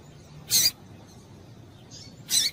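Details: Female double-collared seedeater calling, used to excite and stimulate males to sing: two loud, short, high chirps about two seconds apart, with a faint softer note between them, over a quiet, low background hiss.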